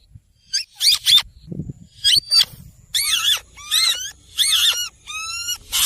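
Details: Green ringneck parrot vocalizing: harsh screeches shift into tonal, wavering squawks with clear bending and rising pitch, five or six bursts each about half a second long.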